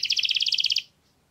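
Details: Canary singing a fast trill of about fourteen bright, evenly spaced double notes over less than a second, then quiet.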